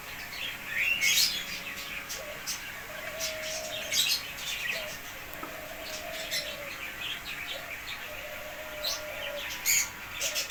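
Cockatiels give sharp, high chirps and rising whistled notes, with several birds calling over one another.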